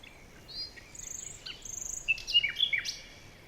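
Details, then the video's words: Several jungle birds calling: high thin whistles and short chirps, some sliding downward, growing busier toward the end over a soft steady background hiss. "Bird Sounds SFX"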